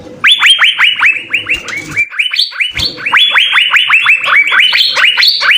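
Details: Six Asian fairy-bluebirds in vigorous full song: a continuous, overlapping stream of loud rising-then-falling notes, several per second, with some higher notes and slight low background noise.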